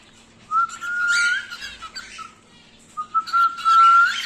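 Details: Home-bred wild-type normal grey cockatiel, five to six months old, kept as a pet, whistling two clear sustained phrases, each held level then rising slightly, with a brief pause between; a faint steady low hum sits underneath.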